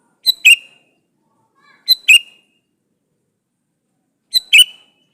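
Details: A male sooty-headed bulbul calling a female gives three two-note phrases at uneven intervals, each a sharp note then a fuller slurred note with a short trailing whistle.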